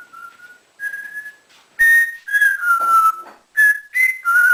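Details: Captive male African grey parrot, kept as a pet indoors and taught to whistle and mimic sounds. It gives a run of clear, tonal whistles, some flat, some gently falling, in short bursts with brief pauses.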